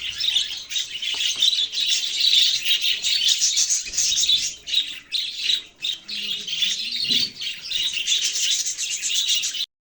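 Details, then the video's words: Budgerigar chirping indoors: a dense, continuous chatter of fast, scratchy chirps and warbles that barely pauses, with a few brief dips in loudness. "parrot chirping sounds"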